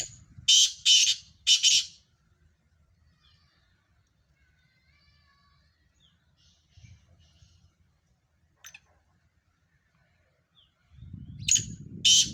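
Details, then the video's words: Black francolin calling with a quick group of harsh, rasping notes, then a long quiet gap before another grating burst returns over a low rumble of background noise. "مکس کالے تیتروں کی مکس آوازیں"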